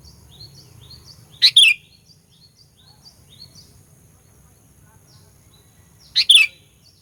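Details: Sooty-headed bulbul lure recording for stirring up rival birds: two loud, sharp double notes about five seconds apart, with a thin chorus of faint high twitters from other birds in the background.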